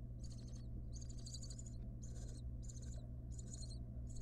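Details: At a camera-monitored nest box, a wild barn owl mother cares for her nestlings. Rapid, high, twittering bursts repeat roughly every half second to second, six in all, above a constant low electrical hum.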